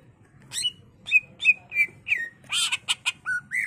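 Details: Agitated cucak ijo in full song, meant as a lure for other birds. Falling whistled notes repeat about three times a second, then a harsh rasping burst followed by two short level whistles.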